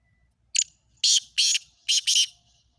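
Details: Black francolin, Sindhi kala teetar, giving its harsh grating call: one short scratchy note, then two pairs of loud rasping notes in quick succession, all sharp and high, with a faint low background hum.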